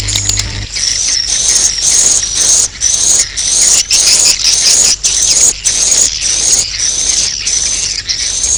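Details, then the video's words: Swiftlets calling at the roost: loud, high, buzzy rising chirps repeated steadily, about two each second, with brief gaps between bursts. "Suara Walet Inap"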